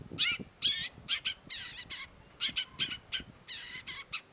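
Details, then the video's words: Long-tailed shrike in lively song, a string of harsh, buzzy, rasping notes alternating with shorter scratchy chatters, fast and uneven in rhythm. "cendet gacor"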